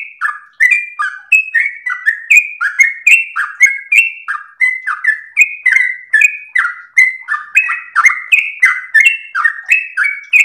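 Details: Extended melodious song from a sooty-headed bulbul, used to train and provoke birds: an unbroken chain of fluty whistles with sharp click attacks, pitch shifting up and down from note to note.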